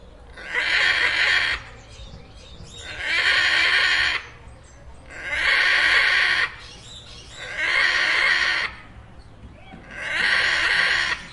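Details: Macaws at play, giving five long, harsh, raspy screeches, each lasting about a second and a half and repeated roughly every two and a half seconds in a steady rhythm, with a quiet gap between each.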